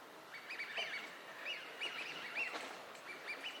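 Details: Eurasian wigeons wintering on a park pond in Chiba, Japan, in March 2025, among other ducks: clear, high whistled calls from several overlapping birds, each a short rising-falling note repeated every half second or so, over a soft hiss.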